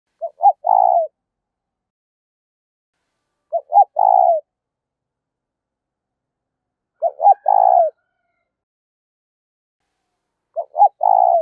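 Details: Spotted dove used as a lure bird to attract wild doves: a short two-note stutter followed by a longer rolling coo, repeated about every three and a half seconds in otherwise silent surroundings.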